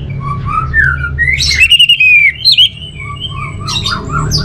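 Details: Song of an orange-headed thrush. Rich whistled phrases change pitch freely, followed by several loud, rapid, sliding notes and then quieter warbling. Faint background chirping continues throughout.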